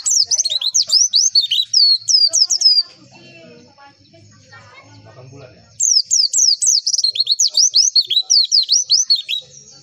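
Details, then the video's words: Javan white-eye song: rapid high thin chirps and down-slurred whistles in quick bursts, about two per second, pausing for a few seconds of faint low rumbling before the bright chattering phrases resume. "MASTERAN AMPUH PLECI"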